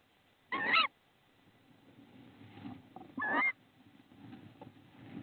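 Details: Tawny owl in Estonia on 22 March 2016, a male bringing a frog as prey to the nest: two short, harsh, sharply modulated calls about three seconds apart, with faint low rustling and background noise between them.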